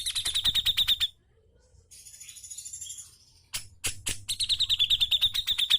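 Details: Brown-cheeked bulbul giving sharp 'ngepik' singing meant to prompt reluctant birds: a fast run of high, clipped repeated notes, a soft buzzy pause, a few harsh clicks, then another long rapid series of piercing notes.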